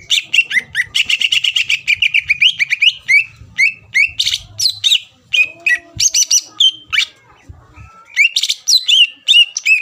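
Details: Greater green leafbird lure song used to provoke rivals into answering: rapid, dense run of sharp whistled and chattering notes, then spaced falling whistles with brief gaps, loud and continuous.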